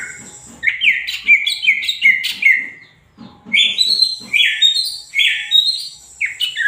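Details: Energetic greater green leafbird song of loud, sweet slurred whistles delivered in fast bursts, a short gap near the middle, then another rapid string of varied rising and dropping notes.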